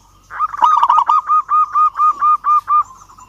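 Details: A local zebra dove calling a rival delivers a fast rolling trill, then seven or eight clear, evenly spaced cooing notes at a steady pitch, each about a third of a second apart.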